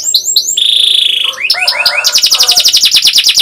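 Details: Young-canary training song, also used to make reluctant canaries sing: quick rising chips, a long level whistle, tumbling descending notes, then a fast rolling trill.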